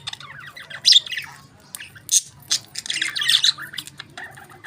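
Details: Several pet budgies feeding on their favourite food, giving a steady stream of scratchy warbles, sharp chirps and squawks with a few louder peaks, indoors with faint background hum.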